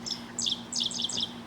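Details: A Dickcissel (Spiza americana) song, a 'dick-cissel' often heard from wires along gravel roads: sharp, high chirped notes in quick clusters, each group stepping downward, repeated about every third of a second over a faint low hum.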